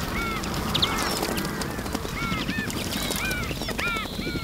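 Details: A bathing group of Iberian magpies at a fountain; repeated arched, slurred whistled calls from several birds, roughly every half second, over splashing water.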